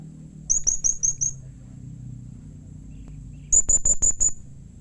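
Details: Call of a blue-crowned hanging parrot, used to get other hanging parrots to respond: five quick thin high chirps, a silent gap of about two seconds with a faint low hum, then six more piercing chirps.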